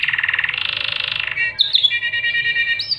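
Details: Panda canary tutor song for young birds and for canaries reluctant to sing: a rapid pulsed rattling trill rising slightly in pitch, then sharp high chirps and a steadier rolling trill.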